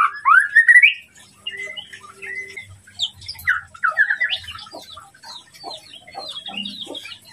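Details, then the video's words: White-rumped shama song used to provoke a rival, opening with a loud rising whistled phrase, then softer scattered chirps and short whistles fading toward the end. "masteran murai batu untuk memancing emosi lawan"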